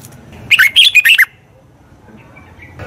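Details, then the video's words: Red-whiskered bulbul song for training wild-caught birds: one short, lively phrase of five or six quick warbled notes, bright and slurred, followed by near silence with a faint whistle at the end. "Tiếng chào mào luyện giọng chim bổi. นกปรอดหัวโขน"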